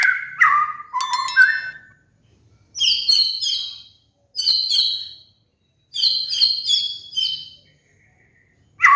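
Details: White-rumped shama (murai batu) lure song used as a master recording to prompt moulting cage birds to sing: low whistled notes, then bright, high, sweeping phrases that descend in pitch, in bursts about every one and a half seconds with short pauses.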